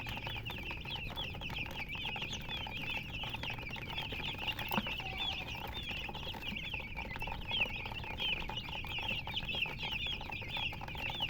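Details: Chickens chirping nonstop, a dense chorus of short, high peeps overlapping throughout, with a steady low background hum.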